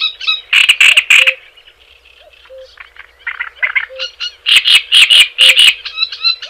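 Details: Java sparrow chattering song meant to prompt other birds: loud bursts of rapid clicky pulses alternate with softer twittering notes, with occasional faint low beeps beneath.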